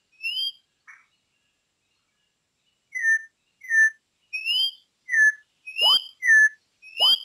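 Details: Campo troupial song used as a training recording: loud clear whistled notes, some rising and some falling, repeated in a steady series about once every half second after a brief pause.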